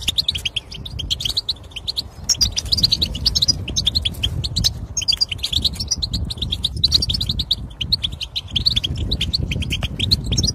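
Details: European goldfinch singing to stimulate a silent bird to start: long run of rapid, twittering high notes over a steady low hum, with a couple of short gaps.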